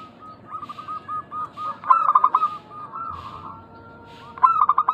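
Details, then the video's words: Local zebra doves calling vigorously in a lure recording meant to make other doves answer; loud bursts of rapid, pulsed rolling coos recur over a steady, overlapping background of softer cooing from several birds. "Pancingan burung perkutut lokal gacor suara mengundang bunyi langsung nyaut"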